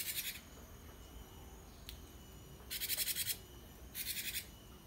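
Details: Cinereous tit, known locally as gelatik wingko or gelatik batu, a cage bird used as a master song to prompt other birds to answer and sing. Three short buzzy, rapidly pulsed high chatters separated by pauses over low background hum.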